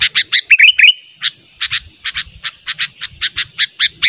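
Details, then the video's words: Natural lure call of a sooty-headed bulbul persistently calling a rival: a short run of rising whistled notes, then repeated harsh chip notes spaced roughly every quarter second. "Pikat Burung Kutilang Panggilan Ter ampuh suara alami"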